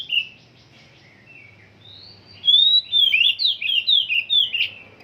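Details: Oriental magpie-robin still in song training: soft, low notes at first, then a quick series of loud sliding whistled phrases, over a faint low hum.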